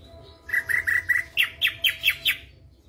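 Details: Caged white-eyed Ashy Drongo, daily active, singing flycatcher-style imitations: four short chirps, then six sharp downward-swept notes in quick succession, bright and evenly spaced, with a faint low hum underneath.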